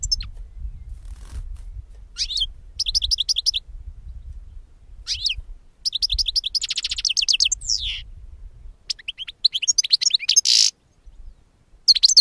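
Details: Goldfinch song played to lure birds for capture: bursts of fast, high twittering and tinkling trills with buzzy rattles, phrases spaced by gaps over a faint low background hum.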